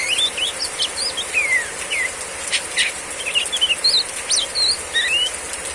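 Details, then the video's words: Female Oriental magpie-robin in heavy rain delivering varied whistled phrases: looping, falling and rising slurs in quick succession, some louder notes standing out, all over a steady rain hiss. "Terapi kacer betina riwik ngeplong saat hujan deras"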